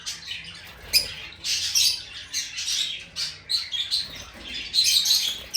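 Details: Lovebird song: sharp, grating squeaks and chirps delivered in quick uneven bursts, each lasting under a second, with faint background hum.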